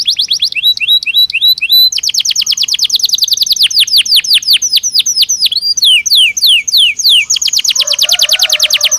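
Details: Belgian canary song meant as daily stimulus for training canaries: looping whistled phrases give way to long runs of rapid, ringing downslurred notes. Several tours change speed, with no pauses over nine seconds.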